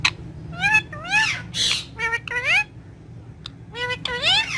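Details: Green ringneck parrot talking to itself in a mirror, Urdu and Hindi words, loud and close: rich harmonic squawky syllables sweeping upward, several in quick succession, with a short gap midway.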